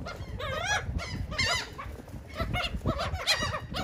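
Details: Gulls at cake in Atlantic City, New Jersey, give a few spaced, wavering, strained cries, some doubled, over a steady low rumble.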